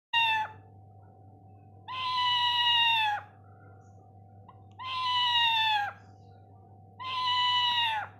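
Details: A green parrot imitating a cat: three drawn-out, meow-like wails, each about a second long and falling slightly at the end, repeated every two seconds over a steady background hum.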